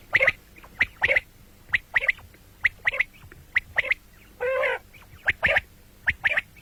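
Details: Common quail sound for morning and night: a rapid run of short high triple-pulse phrases, repeated about once a second, broken once by a single harsh buzzy note.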